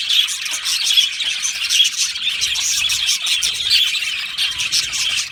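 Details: Budgie colony in an aviary giving harsh squawks mixed with rapid high chirps and chattering warbles, many birds calling at once.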